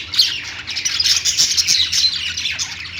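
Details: Lovebird chirps: a short, steady run of high, scratchy twittering and tiny whistles, loudest at the start, continuing evenly.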